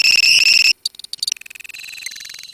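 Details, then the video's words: Colony of lovebirds giving the long ngekek song: a loud, shrill, rapid trill held for under a second, then broken high chattering fragments and short squeaky notes. "KICAU LOVEBIRD KOLONI INI TERBUKTI HANYA BUTUH WAKTU 4 MENIT SAJA LANGSUNG NGEKEK"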